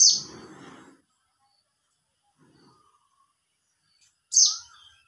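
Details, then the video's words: A white-eye (pleci) calls to another white-eye, used as a lure call: two thin, very high, sharply falling notes about four seconds apart, with a brief low rustle at the start. "Call Monty memanggil Pleci Lain"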